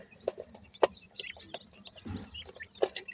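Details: High, thin chirps from grey francolin chicks follow each other rapidly, with a few loud taps and a brief low thud partway through.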